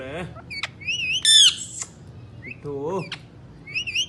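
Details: Three pet Indian ringneck parakeets, shown as talking birds, alternate low throaty voice-like babble with high wavering chirps and one loud rasping squawk, in quick back-and-forth bursts.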